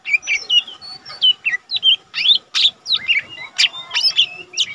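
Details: Young caged lesser green leafbird, singing as tutor material for other leafbirds: lively varied phrases of looping whistles and sharp high chips with barely any breaks.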